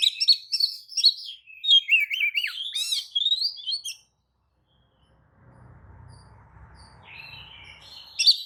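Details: White-rumped shama lure song intended to make other kacer answer; four seconds of rapid whistles and harsh notes, then near silence with faint low hum before a last phrase.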